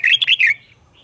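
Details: Caged red-whiskered bulbul giving its double (เบิ้ล) song style, used to teach young birds to copy: one fast, bright phrase of about four slurred whistled notes lasting half a second, then quiet.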